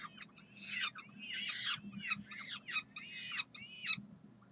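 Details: Peregrine falcons calling for food at the University of Calgary on a June 2012 Saturday morning: a burst of harsh, scratchy squawks in quick uneven succession, then a short pause.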